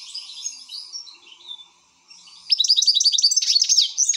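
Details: An excited European goldfinch twitters softly and then pauses briefly. It bursts into loud, rapid chattering with bright, jangling notes and clipped trills, over a faint background hum.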